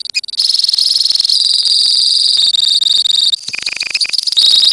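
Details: Lovebird colony in full 'ngekek' song: a loud, steady, piercing rapid trill. It briefly drops to a lower-pitched stuttering chatter past the middle, then rises again into shrill continuous rattling.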